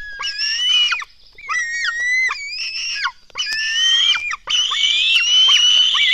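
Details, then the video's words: Hungry black stork nestlings at the nest at dawn, June 2016, begging during a feeding: loud, rasping, screeching cries in four long bursts, the last one sustained and intense, several young overlapping. "Lett sas fészek 2016.06.24. 04:53 etetés"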